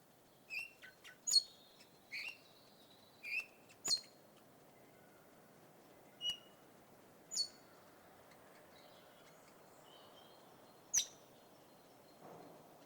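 Red-rumped parrot giving short, sharp chirps and high whistled notes, irregularly spaced, some in quick pairs, over a faint background hiss.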